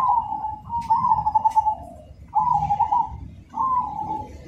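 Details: Cemani zebra dove in full song, its voice described as rhythmic, loud and clear. Four low, rolling trilled coos, each slightly falling, separated by brief gaps, over a soft low background rumble.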